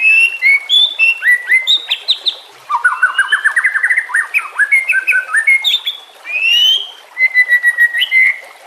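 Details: Shama song meant to teach other shamas, with soft running water underneath. Bright whistled phrases give way to a fast descending run of chattering notes, then long sweet slurred whistles.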